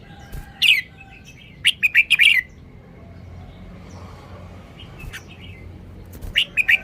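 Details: Three bright song phrases from a caged red-whiskered bulbul. Each is a hurried string of sharp, whistled tweets, and the phrases come at intervals of about two seconds against a quiet background.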